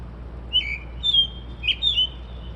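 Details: Unidentified bird singing at 2:30 to 3:00 in the morning, said to mimic car alarms and sparrows: a few thin, clear whistled notes, some sliding, spaced about half a second apart over a faint hum.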